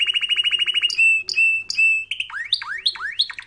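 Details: Canary training song in which a quick, even trill gives way to three long, ringing whistled notes, followed by a series of fast swoops that dip low and rise again, about three per second.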